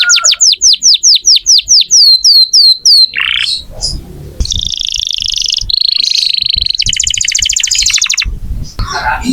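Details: Canary in full voice as a tutor for magpie-robins: a series of clear descending whistled slurs about four per second, followed by buzzy rolls, a nasal trill, and a high rattling tour.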